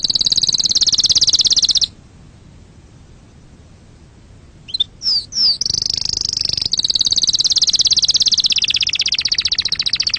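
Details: Canary song for exciting other birds and teaching chicks to sing: a dense high trill, a silent gap, a few sharp swept notes, then a long continuous rapid roll to the end.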